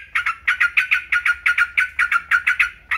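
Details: Yellow-vented bulbul: rapid chattering song of paired, buzzy double notes repeated about three times a second, bright and harsh, with brief pauses between bursts; faint low hum underneath.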